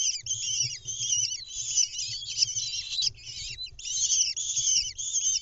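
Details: Lesser kestrels at a nest box in Ramat HaNadiv, Israel, on 10 May 2021, as the mother brings a mouse to chicks hatched in late April, give harsh, rasping, high-pitched calls almost without pause, overlapping excited chatter, over a faint low rumble.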